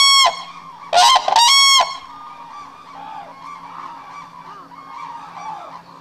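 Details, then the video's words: Black-necked crane held at Akan International Crane Center, recorded January 8, 2006: loud, brassy trumpeting blasts rich in harmonics, three close bursts followed by softer distant calling and a constant low hum. "オグロヅル「ラサ」- 阿寒国際ツルセンター（2006）Black-necked Crane"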